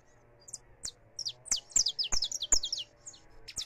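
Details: Loose saffron finch singing, recorded live: a rapid chain of bright, high, slurred chirps, rising in loudness and then trailing off into a few softer notes.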